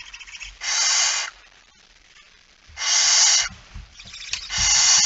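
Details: Barn owl at night, male arriving with a mouse, September 2019; three drawn-out, rasping hissing screeches about two seconds apart, with faint low knocks in between.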